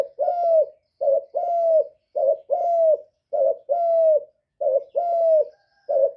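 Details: Spotted dove gives steady repeated coos. Each phrase is a short note followed by a longer, drawn-out hoot, repeating about once a second in a clean, quiet setting.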